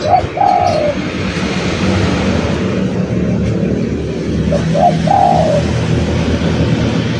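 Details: Spotted dove cooing as a lure: two phrases about four seconds apart, each a quick low note followed by a rolling, slightly falling drawn-out coo, over continuous broadband background noise.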